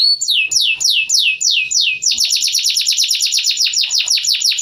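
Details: Caged white-crested canary housed in a hamster cage, singing continuously: several slow, sweeping downward notes that speed into a rapid, evenly repeated high trill.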